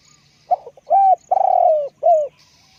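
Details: Spotted dove used as a lure bird, with a big voice, giving a clear phrase of low hooted coos, one long drawn-out wavering note followed by a shorter falling coo, in quiet surroundings.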